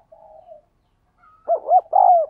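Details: Spotted dove in 'thúc gù' cooing, used to train decoy doves and attract wild birds: a soft low murmur, then two short hoots and a long falling coo, in an otherwise quiet recording.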